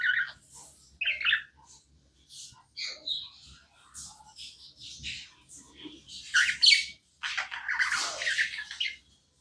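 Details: Pet budgie chirps indoors, softer and more scattered: thin squeaks and short warbles spaced irregularly, growing into louder, hissy bursts near the end, over a faint low hum.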